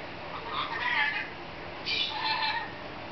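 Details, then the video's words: Pet female lorikeet laughing in fun mode while playing in a newly discovered playground; two harsh, chuckling bursts, each about a second long, with a brief pause between them. "Laughing Lorikeet"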